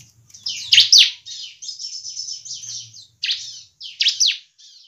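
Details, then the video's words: Bar-winged prinia of the semi-crystal type singing: an extended buzzy, wavering high trill opened by a loud falling chirp and closed by a few sharp chirps, with faint low thuds. "ciblek semi cristal gacor"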